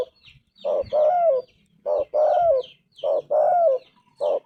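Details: Low, mellow two-part coos from a spotted dove known for its golden voice, each short lead note tied to a longer sliding croon, repeated three times over faint twittering of smaller birds.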